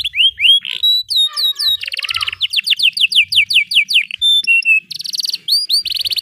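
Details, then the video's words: Canary song used to coach young or silent canaries: mixed upswept and downslurred whistles, buzzy trills, a long series of descending whistled notes, a steady whistle and rapid buzzy bursts at the end. "Kenari GACOR PANJANG Cocok utk Terapi Kenari Macet, Masteran Kenari Paud Belajar Bunyi"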